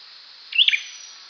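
An olive-backed sunbird gives a single quick, high, sharp chirp, a bright twittering note lasting under half a second, against a faint background hiss.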